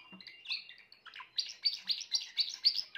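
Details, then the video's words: Grey Timbrado canary song: opening with twittering varied notes, then a steady rolling trill of rich repeated syllables about four per second, clean and loud with little background. "meilleur chant canari timbrado l chant d'un canari timbrado gris"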